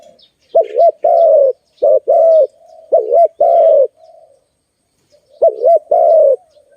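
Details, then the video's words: Zebra dove, called Malay dove, recorded in a bird-trapping setting: loud, clipped cooing phrases, each a quick double-humped note followed by a longer falling coo, repeated four times with short pauses. "Lovely dove- Video lovely Malay dove, Sound of good dove"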